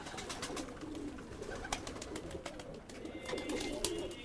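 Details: Kept pigeon being paired with a newly brought female mate; low, soft cooing phrases rise twice amid sharp clicks, tapping and handling noises in a small enclosed space.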